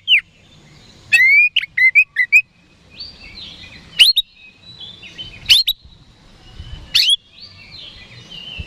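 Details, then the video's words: Contest oriental magpie-robin singing to goad rival birds into replying, with a quick run of bright rising whistles, then spaced sharp upslurred notes separated by softer drawn-out tones. "PANCINGAN KACER HARIAN 🔥 Super GACOR Ampuh Bikin Lawan Cepat Respon"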